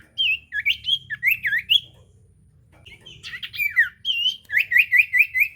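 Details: Common iora singing to prompt a mute bird to sing, bursts of sweet twisting whistles, a short gap, then a quick regular run of repeated rising notes.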